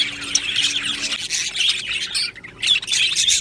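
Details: Happy budgies in a colony giving steady high warbling chatter with scratchy chirps and short squawks, many birds overlapping, dipping briefly near the middle before picking up again.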